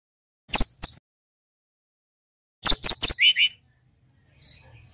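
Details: Young male brown-chested jungle flycatcher (Cyornis brunneatus), described as endemic to Bali, learning its song: sharp, very high chirps in two quick bursts, then a brief buzzy, lower twitter.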